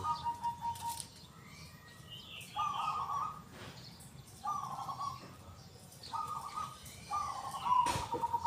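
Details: Local zebra dove singing steadily with its big, loud, clear 'kung' voice. Five rolling, trilled coo phrases at one pitch, spaced by short pauses, over faint twittering of other birds.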